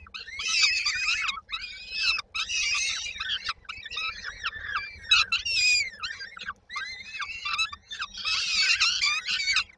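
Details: Begging from several peregrine falcon chicks in Koszalin, Poland, 19 May 2022, as they wait for the mother to arrive with food: bursts of harsh, reedy, high cries separated by short silences.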